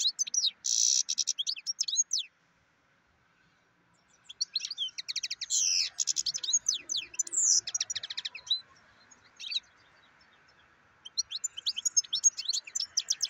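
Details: European goldfinch in extended song: long bursts of dense, rapid, tinkling and buzzy twitters with sliding whistled notes, broken by a couple of brief silences, a steady faint hum behind.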